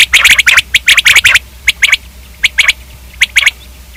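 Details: Rapid bursts of sharp, bright quail notes open the clip. Spaced pairs and triplets follow, repeating about every three quarters of a second, with no other sounds.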